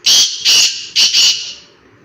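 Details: Black francolin calling in a forest: four loud, harsh, grating notes in two quick pairs, rasping and buzzy, all within about one and a half seconds.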